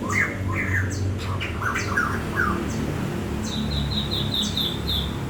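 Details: Bird song with short slurred chirps in the first half, followed by a fast trill of high, evenly repeated notes; constant low background rumble.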